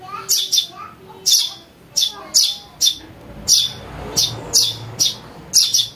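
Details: House sparrow chick chirping, used to attract birds: short, rasping high chirps every half second to second, sometimes doubled, over faint lower tones.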